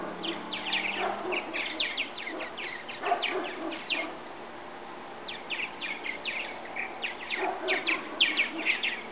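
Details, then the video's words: Young purple martins leaving their nest in a bird house; two long bouts of rapid, dry, crackling chirps separated by a short quieter gap, several birds overlapping in a busy colony chatter. "Purple Martin birds leaving their nest"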